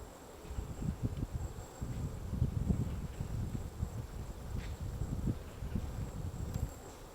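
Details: White-backed woodpecker chiselling out a nest hole in a tree at Gongsanseong Fortress, Gongju, South Korea, on a March 2024 morning: a steady run of dull, low, irregular knocks and thuds, with faint high bird notes far off.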